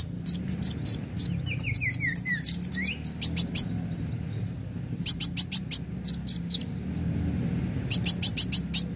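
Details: Lure recording of a kolibri wulung sunbird in full, lively song: dense runs of piercing high chirps, a short series of descending whistled slurs, then more chirp bursts over a faint low hum.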